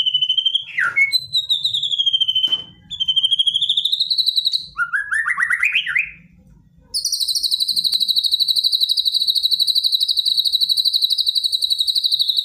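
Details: Aggressive white-rumped shama song used to stir a silent bird to respond, with bursts of rapid notes: ringing whistled phrases, a rising trilled run, then a long steady high buzzing trill lasting over five seconds.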